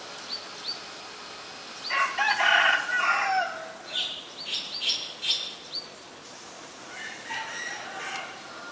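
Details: Common myna (Acridotheres tristis) in Ubon Ratchathani, Thailand, 24 February 2022, gives a run of harsh, croaking notes, then gurgles and bright whistled chirps in quick, uneven bursts, with faint high chips behind.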